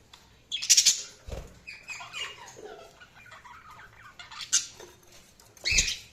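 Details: Budgerigars chirping: scratchy, chattering warbles with sharp high chirps, loud bursts near the start, middle and end, softer twittering notes in between.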